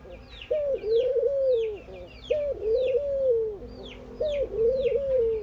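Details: Three long, soft coos from ring-necked doves at morning activity in India, each opening with a brief higher note then holding a smooth low tone for over a second; sparrow-like chirping continues behind.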